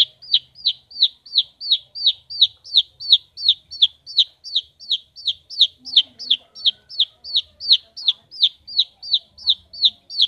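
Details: Caged long-tailed shrike, locally pentet or cendet, kept as a household bird and singing vigorously (gacor). It gives a fast, steady series of sharp, downward-slurred chirps, nearly three per second, with faint low background rumble.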